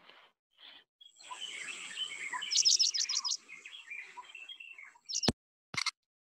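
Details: Paddyfield pipit song, often delivered in a little song flight: a scratchy run of high chirps, then a rapid burst of about five sharp, repeated notes, followed by two abrupt clicks.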